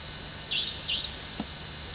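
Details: At night on a forest floor, where a female Franklin's nightjar is with her chicks, two quick thin, high, scratchy notes come close together over a constant shrill insect hum, followed by a faint click.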